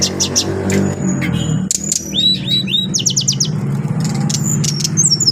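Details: Adult brown-chested jungle flycatcher, a caged bird, singing clear high whistled notes, quick upward-slurred phrases and rapid ticking bursts, over a loud low droning background hum.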